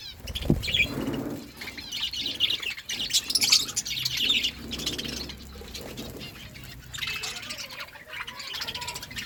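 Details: Feeding pet budgerigars give bursts of high warbling chatter and sharp chirps, with a few low thumps and quieter gaps between phrases.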